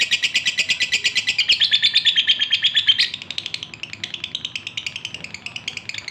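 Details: Male lovebird in breeding condition calling to a female: fast, bright, high chirps at about three per second. The chirps merge into a sustained buzzy trill partway through, then return as softer, evenly spaced chirps.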